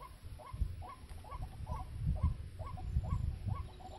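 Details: Ruak-ruak, the white-breasted waterhen, calling where birds are snared: evenly spaced curved nasal notes, about two per second, throughout, with thumping low background noise.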